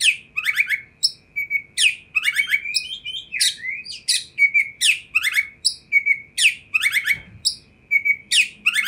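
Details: Oriental magpie-robin singing vigorously to provoke other magpie-robins; loud sweeping downslurred notes ending in short level whistles, repeated in quick bursts, one brief low thump near the end.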